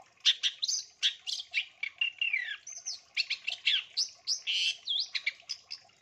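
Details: Long-tailed shrike, singing actively, full of fill-in phrases and used as a training lure for other birds: dense, continuous chattering of high scratchy notes, whistled sweeps and quick chirps with hardly a break.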